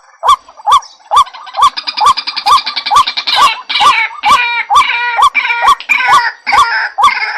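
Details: Lure call of a white-breasted waterhen. Short curved notes pulse regularly, roughly twice a second, while a bright, stacked layer of higher harsh calls builds in the middle and later part, over sharp clicks.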